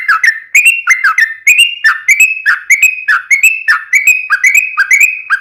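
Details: Sooty-headed bulbul singing gacor style: continuous sequence of liquid whistled phrases, each opening low and lifting to a held note, repeated at an even quick pace.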